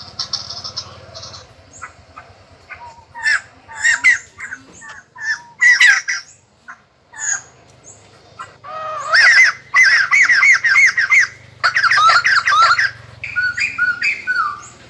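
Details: Captive white-crested laughingthrush in song training, 2020, a bird of southeastern Vietnam and the Central Highlands; scattered sharp notes build into loud, rich rolling phrases of rapid warbled notes in the second half, over a low hum.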